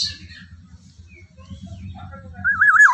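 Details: Black-naped oriole, locally kepodang emas jawa, singing loudly in the morning: quiet low murmur and faint high notes at first, then a strong, fluty, wavering whistle that rises and dips repeatedly at the end.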